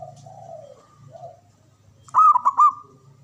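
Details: Male perkutut, a local zebra dove, gives quiet sliding low coos, then one sharp burst of rapid, rolling, pulsed cooing notes. Steady low hum in the background.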